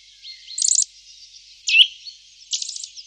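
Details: Eurasian nuthatch in the Wittlich valley, Germany, 2018: short fast high trills, a single loud sharp downslurred note in between, over a faint hiss.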